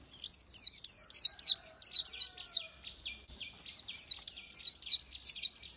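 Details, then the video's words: High, sweet, falling notes from an Oriental white-eye, repeated rapidly in two runs separated by a brief pause. "Chim hót hay Vành Khuyên họng vàng đông dương | นกแว่นตาขาวสีทอง| Oriental White-eye"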